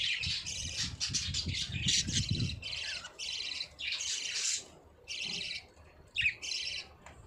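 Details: Budgerigar song of rapid, buzzy chattering phrases in repeated bursts about half a second to a second long, separated by brief pauses, with low thumps and rustling early on.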